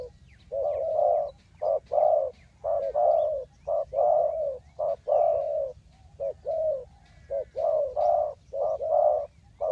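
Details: Decoy spotted dove in a bird trap setting, Ninh Thuận, cooing loud and close: dense runs of short and drawn-out low coos, overlapping with barely a pause, nearly one a second, faint twitters in the background.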